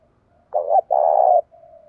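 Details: A single Spotted dove phrase from a bird urged to fight, 'giọng đồng thổ' style: quiet lead-in coo, one sharp short note, then a long, loud, buzzy-edged coo and a soft trailing tone.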